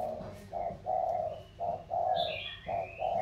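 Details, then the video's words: 'Thổ' spotted doves from Sóc Trăng in the Mekong Delta and from mountainous Cam Ranh compete. Deep rolling coos are delivered in a quick series of short and longer notes. A thin high chirp from another bird overlaps. "Cu gáy Thổ đấu thăng thiên"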